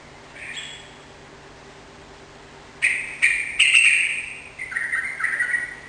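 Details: A Sooty-headed bulbul gives a soft opening note, then a run of loud, clear bubbly phrases, each sliding slightly downward, ending in lower warbled notes.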